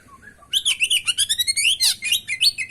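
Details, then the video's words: Oriental magpie-robin (kacer) in full, varied song, used as a master and lure recording. A dense, fast stream of twittering, sliding whistles and trills with many rapid syllables, preceded by a few soft low notes. "masteran pancingan burung kacer gacor isian bongkar"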